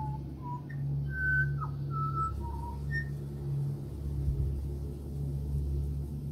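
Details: Pied butcherbird in Australia, heard at a house, whistling a melodic string of separate pure notes that step up and down in pitch, with a brief slurred note in the middle, against continuous low-pitched background hum.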